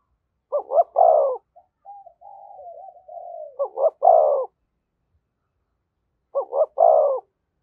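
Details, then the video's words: Thúc gù coos from a spotted dove near a decoy bird. Three bold phrases of twin hoots and a swelling deep coo are heard. The first two are joined by a long, low, wavering murmur, with a pause before the last. "Tiếng chim cu gáy THÚC GÙ giọng hay với sát bổi"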